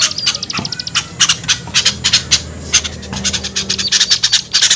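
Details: Lure call used to attract small birds: loud, rapid, scratchy high-pitched ticking notes in quick irregular bursts, close and dominant.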